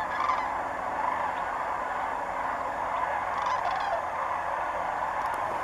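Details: A flock of sandhill cranes flies overhead at Bernardo Waterfowl Management Area north of Socorro, New Mexico. Their rolling, trumpeting rattles overlap into a steady, unbroken chorus.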